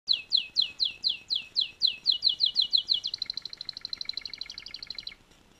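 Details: Singing canary: a run of rapid, loud downward-sweeping whistled notes, about five per second, then a fast buzzy trill held for two seconds before stopping abruptly.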